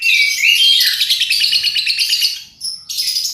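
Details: Lovebird 'paud' chatter played as a lure to get birds singing: continuous shrill twittering with rising squeaky notes at the start, fading briefly before a sharp high burst.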